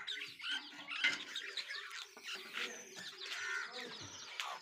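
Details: Pet budgerigars chatter in a dense, continuous stream of scratchy chirps and warbles.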